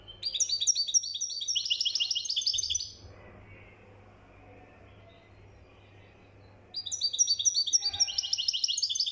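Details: European goldfinch from Morocco, mkhanter song: long fast trills of bright repeated chirps, nearly four per second, broken by a four-second quiet stretch before the rapid twittering resumes.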